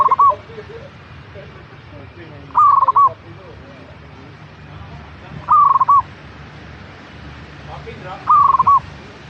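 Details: Coo phrases of a zebra dove, played to prompt a kept bird into song, four times at roughly three-second gaps; each is a short purring trill of rapid pulses ending in a held note, with low rumbling noise beneath.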